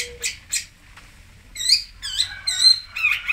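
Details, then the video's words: Long-tailed shrike from Singosari: a couple of rough notes, then a run of quick, looping whistled phrases rising and falling in pitch. "BURUNG CENDET / PENTET / TOET"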